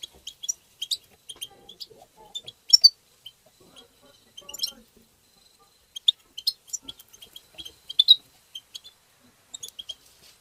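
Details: European goldfinch tbtba singing: a busy stream of high, thin chips and twitters in irregular bursts, with faint mid-pitched warbling noises in the background.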